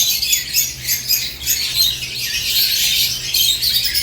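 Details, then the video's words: Short burst of morning chatter from caged lovebirds: shrill, closely packed high squeaks and chirps from several birds, rising and falling in loudness. "Morning Lovebirds Cage Moments | Natural ChirpingSounds"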